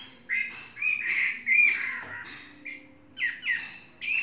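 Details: Chinese hwamei, a tamed bird kept three seasons, giving short harsher, slurred notes in separate bursts with gaps between them, rougher than its flowing whistles.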